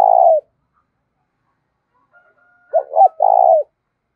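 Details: Decoy spotted dove used to draw in wild doves, singing in the 'giọng thổ' style. A drawn-out burry coo fades out, then after silence comes a full phrase: two short bent notes and a long, buzzy, falling coo.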